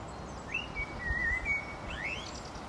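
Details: A single blackbird phrase: a rising whistle, a smooth drawn-out fluted note, then an upward-sweeping flourish, over a soft low rumble.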